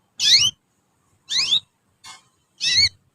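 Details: Young canaries kept as a group, learning to sing, recorded as a training lure: four loud, harsh, high notes, each a cluster of downward-sweeping strokes, spaced about a second apart, with silence between.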